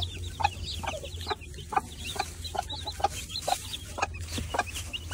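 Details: Baby chicks giving many short, high peeps in quick, uneven succession, overlapping one another, with a few lower clucking notes and a steady low hum in the background.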